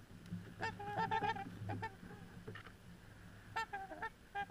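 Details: A few trumpeter swans (Cygnus buccinator) milling about, seen from a beach, give trumpeting calls: nasal, horn-like honks in two quick bursts of several notes, with a steady low engine-like hum underneath.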